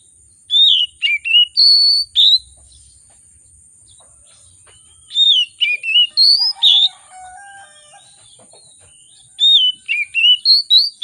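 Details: Energetic, agitated oriental magpie-robin song with lavish varied material, meant to trigger other birds to sing: rapid groups of sweet, slurred whistles separated by pauses, plus a lower, softer whistled phrase midway through.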